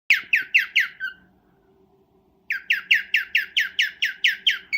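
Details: Cockatiel giving a mating call during breeding: bursts of short, sharp, downslurred chirps, about five per second, a run of four, a second's pause, then a longer series of ten, with a faint hum behind.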